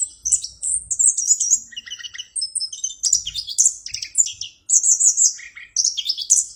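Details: Clear, energetic song of an orange-headed thrush: bursts of very high twittering and sliding whistles broken by brief pauses, with soft low knocks in the background.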